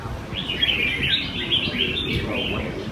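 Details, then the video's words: Caged red-whiskered bulbuls in a Sunday-morning rack-singing contest in Quy Nhơn, Vietnam, 21 June 2020: rapid bright warbling notes tumbling over each other, with steady background noise of people talking. "Chào Mào Hót Đấu Giàn"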